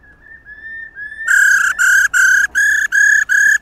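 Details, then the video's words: Female laughingthrush 'ro' call, used to get males singing: a few soft rising whistles give way to six loud, buzzy, evenly spaced bursts, each about a third of a second long. "KHƯỚU MÁI RO QUÁ ĐỈNH Kích Trống Hót Căng Hót Hay"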